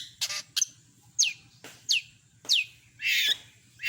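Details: Long-tailed shrike in a mimicry-rich song: an uneven series of harsh scratchy notes and short, clear downslurred whistles, ending with a broad noisy burst, over a low hum.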